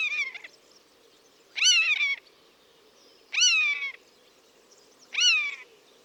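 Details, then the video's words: Buzzard in its natural habitat giving loud, harmonic mewing calls that start high and slide downward, four calls spaced about every two seconds over a faint steady background hum. "Buzzard Sound | Hear the Wild Call of a Majestic Bird of Prey"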